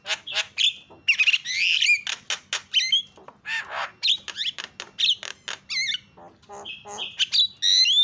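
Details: Starling chatter used as a lure to set silent starlings chattering: harsh, squawky bursts and short whistled slurs tumble out rapidly in an unbroken, excited stream.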